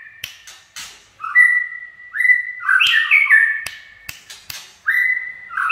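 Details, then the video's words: White-rumped shama singing in 'chạy cầu' style: flat whistles alternating with warbled bursts, repeated about every one to two seconds, with crisp clicks scattered throughout. "Chích chòe lửa chạy cầu shama run"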